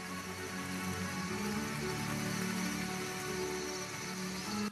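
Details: Steady music with sustained tonal layers across low and high registers over a soft rain-like patter, with no animal voice.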